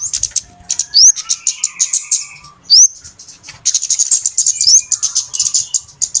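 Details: Busy flowerpecker chatter recorded as a trapping lure: dense runs of high, dry ticks, broken by short upward-sweeping whistles repeated about every two seconds, with a lower buzzy trill underneath.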